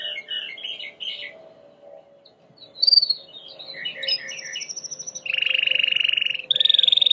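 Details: White Timbrado canary singing for training: scattered soft chirps and twittering notes build into a loud, low rolled trill and a higher buzzy trill at the end.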